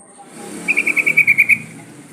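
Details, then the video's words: Sooty-headed bulbul call used as a singing lure. A short rapid series of about eight clear, ringing notes rises out of a steady background hiss. "Suara pancingan trucukan agar bunyi jadikan burung trucukan gacor seketika"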